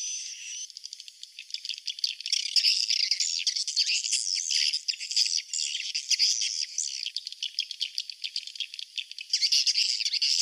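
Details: Chorus of swiftlet roosting calls meant to draw swiftlets in: rapid overlapping clicks and buzzy high chirps, many per second, swelling louder through the middle and again near the end.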